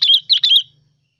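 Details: Sooty-headed bulbul lure song fragment, three rapid slurred whistled notes in about half a second, bright and rolling, over a faint low hum.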